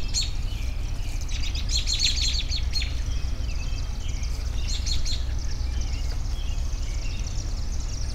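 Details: Chattering birds give clusters of quick, high chirps, with quieter twitters in between, over a continuous deep background rumble.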